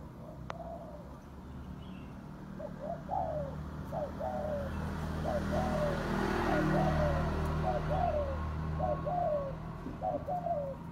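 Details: Spotted dove (Spilopelia chinensis), cooing call.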